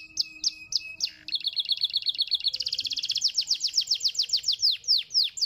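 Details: Canary singing to stimulate other canaries to sing, with rapid tours of repeated high chirps: short notes, then a fast rattling trill, then a run of falling swept whistles repeated several times a second.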